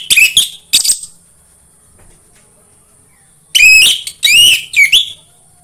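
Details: Orange-headed thrush song used to coax other thrushes into singing. Brief whistled bursts open the clip, then after a gap come three stronger phrases of ringing, downslurred and warbled notes.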